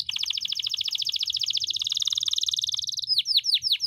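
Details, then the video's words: Canary singing a long rolling tutor song: an extended, very rapid and even trill lasting about three seconds, followed by a few sharp downward-swooping whistles. "masteran kenari gacor,gacor (durasi) panjang ngeroll"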